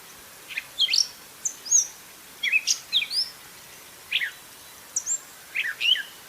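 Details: Singing gray catbird: a lively, varied string of sharp whistled chirps and squeaky slurred notes in quick bursts of two or three, separated by short gaps.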